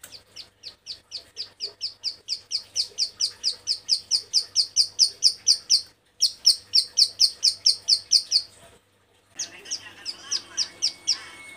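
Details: Female bar-winged prinia in breeding condition calling males, giving a long, steady series of sharp downslurred chip notes, roughly three per second. They grow louder, stop briefly, resume, then drop after a short gap with a thin whistle behind.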